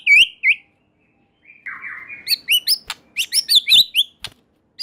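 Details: White-rumped shama in strong song, said to prompt other shamas to sing along: clear whistled notes near the start, then a buzzy rattle and a rapid run of bright, sharp upslurred whistles with a few clicks.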